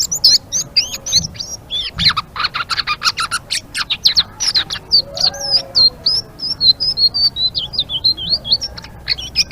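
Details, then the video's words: Blue-winged leafbird twittering steadily in the 'ngeriwik' manner: rapid high chips, buzzy bursts and looping whistled slurs tumbling one after another, with a soft lower warble underneath partway through. "Suara Burung Selendang Biru Gacor❗❗ Ngeriwik"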